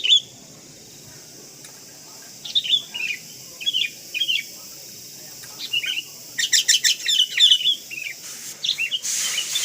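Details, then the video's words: Sooty-headed bulbul, kapas type, in a full isian tutor recording: after a quiet start, short whistled, slurred phrases repeat roughly every half second, then a dense, rapid chattering run with whistles, over a steady high hiss. "MASTERAN FULL ISIAN KUTILANG KAPAS"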